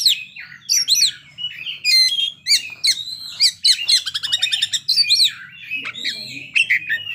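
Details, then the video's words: An Oriental magpie-robin, singing energetically through its fill-in repertoire, strings together whistles, chips and a fast trilled rattle in an almost unbroken medley, over a soft low hum. "kacer ngeplay bongkar isian"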